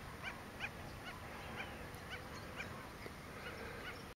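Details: A Lesser Yellowlegs at Porto Jofre, Pantanal, Brazil, on 25 September 2013, gives a series of short, soft whistled notes, about two each second, over a steady background hiss.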